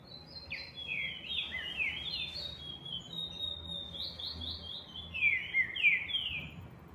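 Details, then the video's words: Green-winged saltator in a singing contest, several overlapping whistled phrases of falling slurred notes, busy and continuous, suggesting more than one bird singing against quiet background noise. "trinca ferro no x1"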